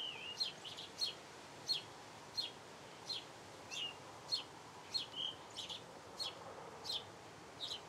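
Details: Persistent chirping song of a house sparrow: roughly thirteen short, piercing notes spread across eight seconds, mostly single, a few paired, over constant faint ambient noise.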